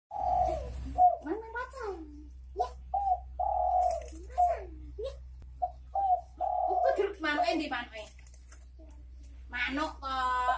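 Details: Spotted dove (derkuku) giving its bekur bekur call: low, mellow coo notes repeated at uneven intervals, mixed with sweeping harmonic voices and brief high chirps, recorded in a small room.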